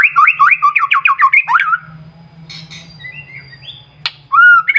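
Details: White-rumped shama singing in the morning as a lure for other birds: a fast series of repeated, bouncing whistled notes, then a quiet buzzy section and a final clear whistle, over a low steady hum.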